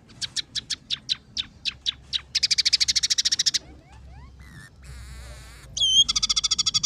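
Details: Lively scaly-breasted munia song mixed with sparrow, red siskin and canary phrases: spaced high chirps quickening into a rapid rattling trill, thin slurred whistles, a buzzy warbled passage, then another fast chirping trill.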